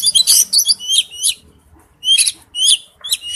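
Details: Male oriental magpie-robin calls to a female with quick high twittering whistles in two short bursts split by a pause.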